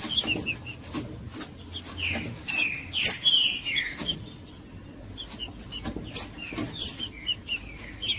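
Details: Green-winged saltator (trinca-ferro) song used to warm up a cold caged bird: short rising whistled phrases around mid pitch, repeated with brief pauses, over a background of clicks, taps and a steady high electronic tone.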